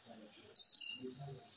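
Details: Ring-necked parakeet giving one short, shrill whistled note, high and slightly wavering, lasting under half a second, with faint low murmurs before and after in an otherwise quiet room.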